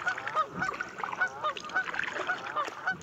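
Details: A dense flock of Canada geese at Buzzard Roost Creek, Alabama, in a busy clamor of overlapping nasal honks and cackles, many birds calling at once with no clear pause.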